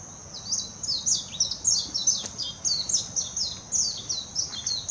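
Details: Warbling white-eye singing in Hashimoto, Wakayama Prefecture, Japan, on 26 June 2021: a rapid, high, twittering warble of sweeping down-slurred notes, continuous for several seconds over quiet background hiss.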